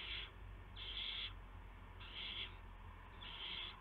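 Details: Nest of owls after midnight on March 19, 2016, during prey deliveries of a gopher and mice to owlets. Four rasping, hiss-like bursts come in uneven spacing, each about half a second, against a low steady hum.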